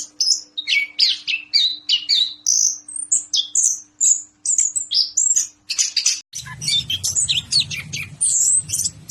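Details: Orange-headed thrush in captivity delivering a rich, rapid song of shrill whistles, chattering trills and sliding notes, phrases tumbling one after another; a faint hum at first, then a low rumbling noise joins during the final seconds.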